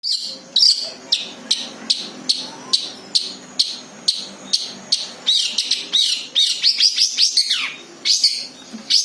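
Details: Long-tailed shrike, or cendet, singing its natural song without mimicked phrases, used as a lure for other birds: sharp high notes about once a second, building to rapid rising and falling chattering phrases near the end.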